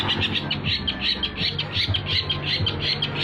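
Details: Long-tailed shrike (cendet) lure song for trapping: a fast, regular series of scratchy chattering notes, nearly three per second, over a low background hum.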